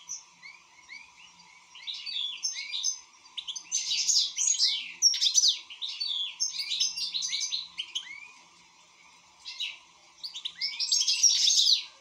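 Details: A European goldfinch in good song, starting softly, then building into long bursts of fast tinkling twitters and buzzy trills, pausing briefly before a final loud phrase; steady low hum behind.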